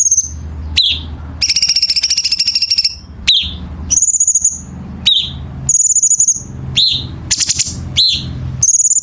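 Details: Chinese bulbul training recording for competition songbirds, with dense harsh filling: high steady whistles, dropping slurred notes and a long grating trill, phrases tightly spaced over a faint low hum.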